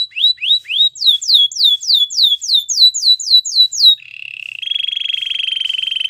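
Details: Belgian canary singing a powerful training song: rapid downward-sweeping whistled notes repeated about four times a second, then a steady buzzy trill held for two seconds.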